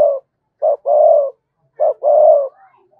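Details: Lure spotted dove calling to attract wild doves: two phrases, each a short clipped coo followed by a long, steady, hollow coo, separated by a pause of about half a second.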